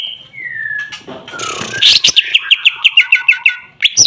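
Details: Greater green leafbird giving a drawn-out descending whistle, then a burst of harsh noise followed by a rapid, evenly spaced series of sharp chirping notes.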